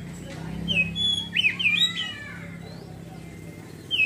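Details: Kacer, the Oriental magpie-robin, giving ngeriwik twittering song that turns into fuller ngeplong singing: a few short whistled slurs and chirps, rising and falling, heard over a steady low hum.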